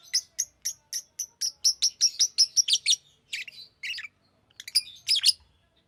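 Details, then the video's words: Green lovebird giving a fast run of bright, evenly paced high chirps that speed up, then a few rougher buzzy squeaks and sharp notes. "Green Lovebird Chirping Sound"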